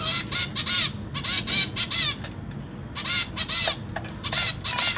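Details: Begging zebra finch chicks, fed by both parents in a cage holding three juveniles and three newborns, 29 September 2023. Grating nasal calls come in clustered bursts of three or four with brief gaps between them.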